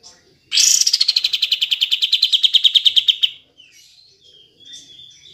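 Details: Olive-winged bulbul gives a fast, bright chattering trill of about ten notes a second for three seconds, then faint softer notes, used as a lure to stimulate reluctant or silent cage birds to sing.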